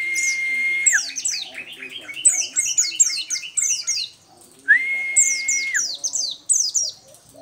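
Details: Local 'dakun' Oriental white-eye singing vigorously: rapid runs of high, sharply descending chirps in quick bursts, with a steady long flat whistle tone and lower background sounds between phrases.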